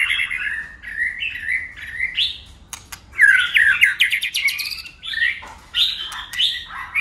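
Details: White-rumped shama in a singing contest, tail flicking and shifting voices nonstop: mellow, gently wavering whistles give way to a dense burst of fast, chattering, buzzy phrases, then more rounded whistled notes, with occasional clicks.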